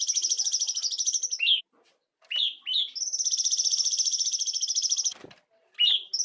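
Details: Cungkok bulbul used as tutor audio for songbird training; long, fast, high trills broken by short downslurred chip notes, a brief silence, then the trill resuming for nearly three seconds.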